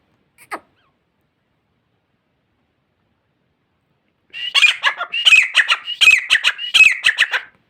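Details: Grey francolin at Layyah giving a loud, rhythmic, grating call: a quick run of repeated harsh phrases with high squealing notes, lasting about three seconds after a long quiet pause and one brief click.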